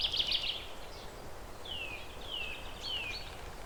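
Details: Zebra finch perched; a short burst of buzzy stacked notes, then three clear descending whistled slurs spaced about half a second apart over low hiss.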